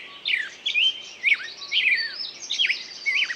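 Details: A few loud downslurred whistles from a singing bird, spaced about half a second apart, with softer high notes behind them over a light hiss.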